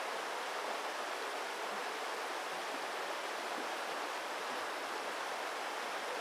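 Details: Steady hiss of rushing water, with no animal calls.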